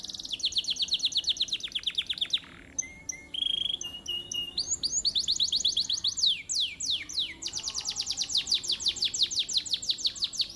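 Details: Competition canary from Mojokerto, Indonesia: quick descending trills, a short pause with a flat sustained note, then varied swooping phrases and a long run of rapid high notes.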